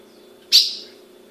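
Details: A single clear, high chip from a captive female ultramarine grosbeak in Brazil, sharp at onset and fading within a fraction of a second, with a faint low hum behind it.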